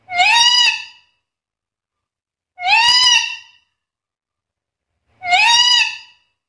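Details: Black-capped lory, a talking bird mimicking varied sounds, uttering a harsh, strongly harmonic rising-falling call like a drawn-out voice, repeated three times about every two and a half seconds.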